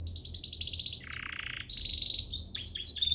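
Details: Canary song for training birds: a high rapid trill, then a lower sustained buzzy roll, followed by steady high tones and short sharp sweeping notes.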